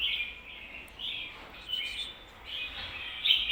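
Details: Red-whiskered bulbul's doubled 'ko-ta-ra' song, meant for teaching birds. Soft, rounded whistled phrases follow one another steadily over a quiet background hiss, ending in a louder note.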